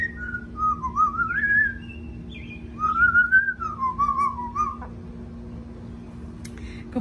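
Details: Pet Amazon parrot at home, excited for its owner: a wandering series of clear whistled notes sliding up and down, then a click near the end, over a constant low hum.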